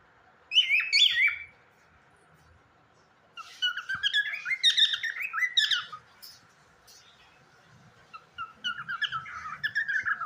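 A cockatiel sings in three bursts of bright, warbling whistles and chirps, rising and falling quickly, with pauses of a second or two between them.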